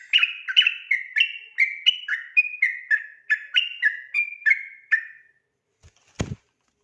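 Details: At night, a sooty-headed bulbul delivers its rapid 'ropel' song, used as a tutor for other birds: some fourteen quick whistled notes with falling tails, then a pause and a loud knock.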